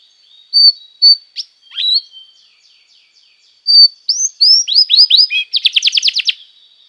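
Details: Canary song used as tutor song for training young canaries: a few clear whistled notes and slurred chirps, then rising swept syllables speeding into a fast, even buzzy trill near the end.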